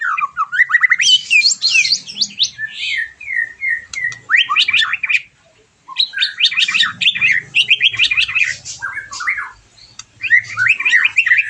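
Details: White-rumped shama singing as a stimulation sound after moulting: long, energetic outpourings of fast twittering, chattering and slurred whistles, with one brief pause in the middle.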